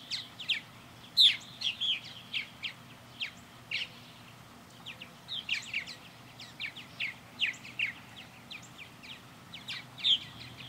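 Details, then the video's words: Backyard purple martins orbiting a bird house, with a stream of short chirps and croaky gurgles, some louder close calls, and a low background hum. "Blue Sky Back Yard Purple Martins"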